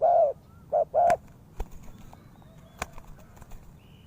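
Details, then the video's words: Spotted dove used as a trapping lure gives a phrase of three low hollow coos, a long one then two shorter, followed by clicks, knocks and faint distant chirps. "The Sound Of Spotted Dove is good,Bẫy cu gáy bằng mồi trồn"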